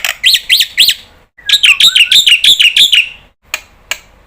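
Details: Black-winged starling, a lure bird whose cries are meant to set off other starlings. Three loud, rasping, arched screeches lead into a fast run of about nine harsh, buzzy notes, then a few sharp clicks.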